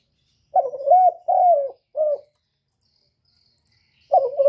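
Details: Spotted dove lure call used to stimulate doves: a three-note cooing phrase, two drawn-out throaty coos and a shorter final one, then a pause before the next phrase begins.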